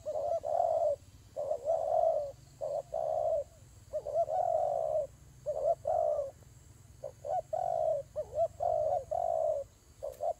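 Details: Dove fight with an almost unbroken chain of low, hollow coos, long and short notes mixed, some wavering in pitch, over a faint steady hum.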